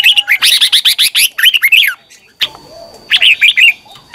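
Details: Lively morning song of a red-whiskered bulbul, used for training other bulbuls to sing: a long, dense run of quick, bright, slurred notes for two seconds, a short gap, then more fast warbling.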